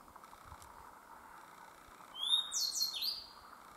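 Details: Grey bunting at Myōkō Kōgen, where the species was numerous, starts singing after two quiet seconds: a high whistled opening, then quick buzzy descending notes and a trailing thin whistle, against a steady faint hum.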